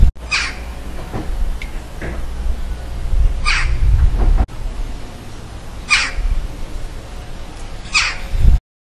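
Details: A western jackdaw in a village on the Île de Groix gives short, harsh, metallic 'tchack' calls, four clear ones spaced about two seconds apart, over a steady low rumble of wind.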